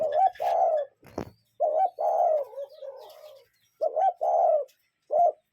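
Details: Real cuckoo calling in nature: short low hoot then a longer mellow coo, the pair repeated roughly every two seconds, with a sharp click and faint chirps between.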